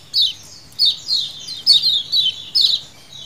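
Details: Lemon-bellied white-eye colony calls used as a lure: five clear bursts of high, sharply falling 'ciak' notes, each about a second apart, over a faint low hum.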